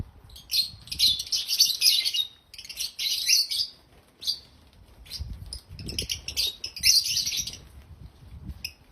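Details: Happy African lovebirds chirping loudly: dense bursts of shrill, high chatter lasting one to two seconds, separated by short pauses, with soft low thumps and rustling underneath.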